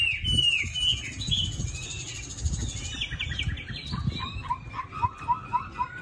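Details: Caged Chinese hwamei from Định Công, Hanoi, Vietnam, pale yellow-legged, gives sweeping slurred whistles amid some wing fluttering. The song then shifts to a lower series of short, clipped notes repeated about four times a second.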